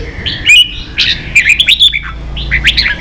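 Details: Red-whiskered bulbul singing in the 'ché' style, from a recording for training young birds to sing: short warbled, whistled phrases with quick rising and falling notes, separated by brief pauses, over a faint low hum.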